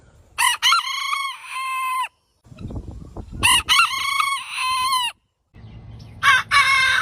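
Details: Three rooster crows in the morning, each starting with sharp stuttered bursts and holding a bright slightly wavering tone, with low rumbling noise between them.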